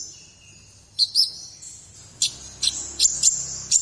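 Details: Konin bird, or ashy tailorbird, singing actively in the morning: sharp, very high chirps in short bursts, spaced irregularly, over a steady high insect-like hum.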